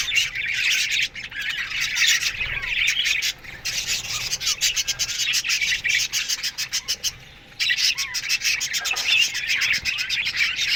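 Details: Colony of Australian budgies chattering in an aviary during the morning, steady scratchy warbling and chirps from many birds, with a short quieter lull around seven seconds.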